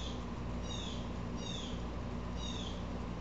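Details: Upset Blue Jay calling, three harsh descending calls spaced about a second apart, each with stacked bright overtones, over a steady low hum.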